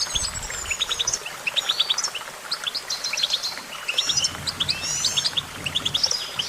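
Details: Sprightly goldfinch song of clustered high chirps, often in quick pairs and triplets, mixed with short buzzy twitters and tinkling flourishes throughout, against light background noise.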